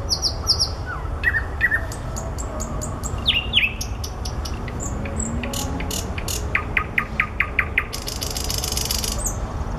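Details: Among flowers, a common nightingale sings varied phrases: high slurred whistles, descending notes, a quick row of repeated staccato chips and a closing buzzy rattle, with low steady background noise.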